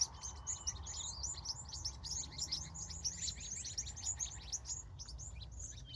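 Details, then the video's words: Evening birdsong at a California sunset: a busy flock-like chorus of short, high chirps and twittering notes, with a faint thin whistle near the start, above a constant low background rumble. "Sunset, Bird Sounds, Sky and Colors"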